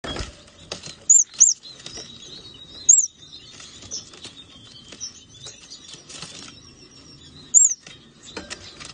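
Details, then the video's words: Swee waxbill giving very high, thin, quick notes in short bursts, two close together, then single ones a few seconds apart, with soft fluttering and rustling between. "Swee waxbill"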